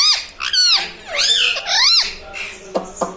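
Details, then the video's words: Pet parrot that speaks, reportedly saying "mummy", "papa" and "radhe radhe": three loud arching, rising-falling syllables in quick succession, followed by softer notes and a couple of sharp clicks. "Talking mummy papa|| mummy vala parrot || mithu bolo radhe radhe"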